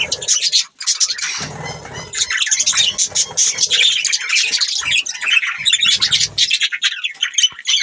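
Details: Budgies chatter in fast high chirps and buzzy trills throughout, with a low rumbling background noise near the start and again around six seconds.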